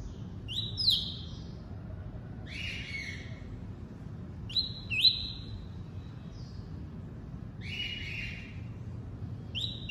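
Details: Double-collared seedeater in tuí-tuí style: short whistled phrases every two seconds or so, alternating a higher rising note with a lower, slightly buzzy one, against steady low background noise.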